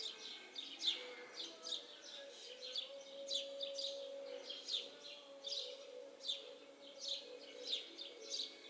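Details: Several house sparrows perched in a yard tree, chirping in a rapid, uneven series of sharp, high notes, nearly continuous, with a faint steady low tone underneath.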